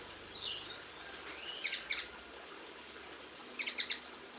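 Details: Linnets filmed on 22 March 2016 give short bursts of two to four sharp, dry chirping notes separated by pauses, with soft thin whistles faintly behind them in a quiet outdoor setting.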